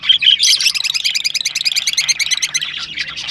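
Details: Rosella sounds used to stimulate rosellas to mate: a couple of clear whistles, then a fast, high twittering run of about a dozen notes a second, steady for three seconds.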